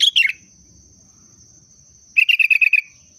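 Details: Sooty-headed bulbul giving two bursts of sharp chirps: a quick descending run of three notes, then after a pause a rapid series of about eight clipped notes, with a thin steady high tone throughout.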